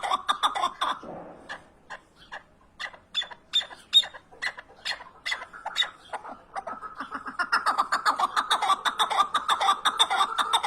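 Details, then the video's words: Loud, rhythmic chuckling from a partridge, short clipped notes repeated about twice a second, slowing in the middle and then becoming a dense, rapid rattle. "Keklik sesi huzurludur )the sound of partridge is peace )звук куропатки мир ) صوت الحجل سلام"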